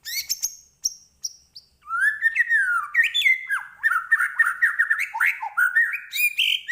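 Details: White-rumped shama in full song: a few sharp high notes at the start, then a continuous run of varied, rich whistled phrases that rise and fall, with quick slurred notes and no other sounds.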